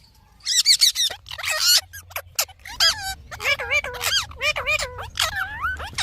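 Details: Pet parrot chattering in a fast stream of high squeaky speech-like syllables, many sliding up and down, with a low steady hum underneath.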